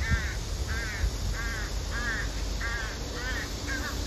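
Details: Insistent begging by a female crow wanting food from the male: seven rapid, rhythmic, harmonic caws roughly every half second, with steady high hiss in the background.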